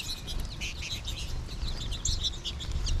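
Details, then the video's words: American goldfinches in a March flock, some calling from the trees above, pour out a continuous jumble of high, bright chirps and twitters, with a steady low background hum. "American Goldfinch flock"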